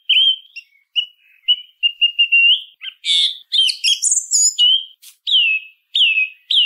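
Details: Song thrush in song, opening with a run of thin level whistles, bursting into a dense high twitter, then a falling whistled note repeated three times.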